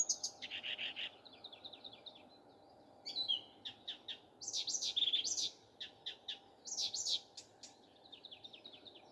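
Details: A nightingale sings in the morning with fast, varied passages: churring trills, rapid rattles, zigzagging whistled notes and quick clicks tumbling one after another.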